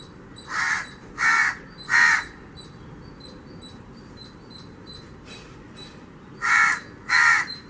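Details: A house crow calls in a mango tree in a garden in Avadi, Chennai, Tamil Nadu, India, giving harsh, nasal caws: three in quick succession, a pause, then two more; faint high chirps from small birds carry on behind.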